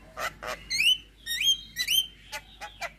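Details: Javan myna (jalak kebo) song: two harsh rasping notes, then three loud rising whistled notes with metallic overtones, followed by a few short sharp chips.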